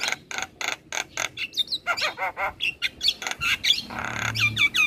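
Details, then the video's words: Javan myna in a master recording meant to teach other birds, a champion bird singing busily: rapid series of harsh broadband chacks mixed with high whistled, upslurred and bent notes, steady and dense throughout. "Jalak kebo Gacor Parah Bikin Burung Lain yang Dengar Ikut Bunyi"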